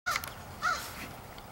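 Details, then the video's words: Crow perched in a tree, recorded 27 July 2015, giving two harsh caws, the first short and the second longer and arched, with a faint hiss of background noise behind. "Crowfriend in tree"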